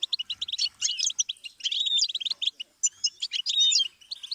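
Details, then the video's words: Lively goldfinch song for teaching songbirds: chattering runs of clipped, high tweets, then a pause, then twittering with smooth whistled glides and buzzy notes. "Series of stimuli for the goldfinch"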